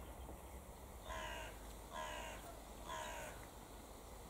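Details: Mute swans giving three harsh, nasal honks about a second apart, each a short burst with stacked overtones, over a steady low rumble of background noise.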